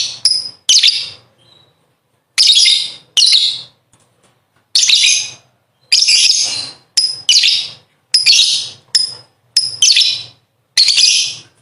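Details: Lovebird giving its long 'ngekek' chatter, kept as a tutor recording for training contest birds: harsh, raspy, high bursts about a second long, repeated in quick succession with short silent gaps, nine or so bursts.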